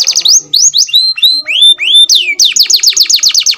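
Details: Captive-bred F1 canary singing loudly: a varied run of sweeping whistled notes, some falling and some rising, ending in a fast rattling trill of repeated downslurred notes.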